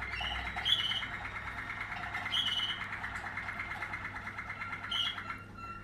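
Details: Waterslager canary of a 2020 line singing: a low, steady rolling trill runs throughout, with bright higher whistled notes breaking in three times, about every two seconds.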